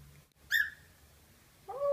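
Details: Pet cockatiel singing at its own reflection in a suitcase. A single short, bright whistled note with stacked overtones, a quiet pause, then a lower, smoother warbled phrase near the end.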